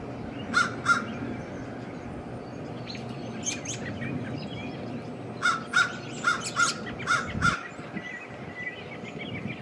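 Harsh, grating caws from an American crow, a pair early on, then a quick run of about six, over a low steady rumble.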